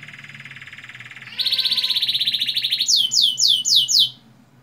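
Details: Canary song played to young canaries to make them start singing: a buzzy trill, then a louder rapid pulsing roll, ending in five loud sweeping downslurred notes.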